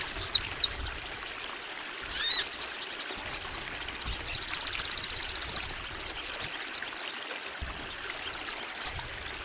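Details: Crimson sunbird singing energetically in a long, full-burst bout: scattered thin high chirps and short sweeping notes, then a fast, even, buzzy trill of about twenty pulses lasting over a second, with quiet pauses between phrases.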